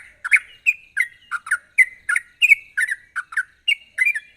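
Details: Lively sooty-headed bulbul song with sharp trills, played as a lure to draw song from other bulbuls. Fast, chattering series of bright slurred notes, close to three per second, loud and clear.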